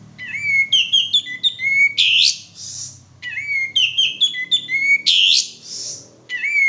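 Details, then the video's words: Male sooty-headed bulbul in full, vigorous song, played as a lure to get birds singing: a pattern of rising whistled notes ending in a harsh rasping burst, repeated about every three seconds. "suara pancingan burung kapas tembak jantan gacor"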